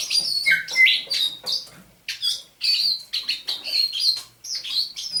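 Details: Captive thrush nightingale, caught near Saint Petersburg in May 2019, singing at dawn on 27 November 2021: quick varied phrases of high whistles, sharp chirps and buzzy notes in rapid bursts separated by brief pauses.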